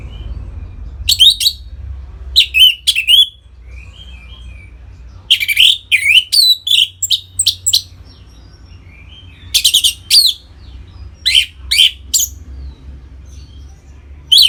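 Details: Long ngeplong performance by a caged orange-headed thrush, meant to bring listening birds into breeding condition: clusters of loud, varied whistles and sharp high notes, with short sweeping chirps in between, repeated over fourteen seconds, steady low hum throughout.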